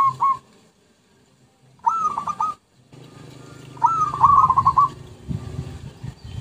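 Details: Zebra dove lure recording with short bursts of quick, rolling cooing notes, separated by pauses and gaps, over a steady low rumbling background.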